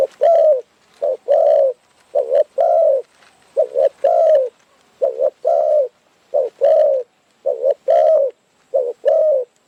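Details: Wild Spotted Dove in Phrae, Thailand, cooing during decoy trapping, where birds are expected to come in and fight the decoy. A steady run of low, hollow coos in short-then-long pairs, roughly nine phrases, with faint background hiss.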